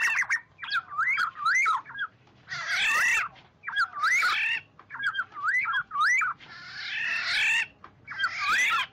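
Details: Oriole calling its flock in a noise-free lure recording: looping liquid whistles alternate with broad, rasping cat-like squawks, each phrase about half a second to a second long.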